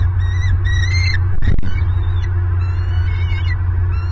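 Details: Nest-camera recording from Southwest Florida, 26 November 2022, of a bald eagle pair as the male delivers prey: a few high whistled chirps, then a sharp thump, followed by fainter chirps over a deep steady hum.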